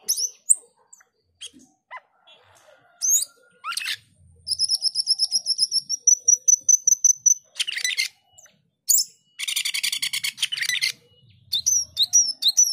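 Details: Black-winged starling male composing its song, mixing squeaky whistles and dry chatter with long trilled stretches of fast, high, evenly repeated notes, some buzzy and insect-like.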